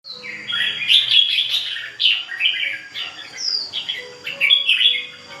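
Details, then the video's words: Ché bird singing continuously: a rich, varied run of sweet whistled and warbled notes with quick rising and falling slurs, phrases following each other with barely a pause, and no other clear sounds. "CHIM HÓT CHÉ LIÊN TỤC"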